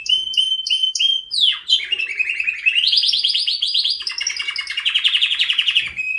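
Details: Canary song opening with four evenly spaced whistled notes, then a sweeping drop into a long, dense rolling trill that rises and shifts pitch in steps.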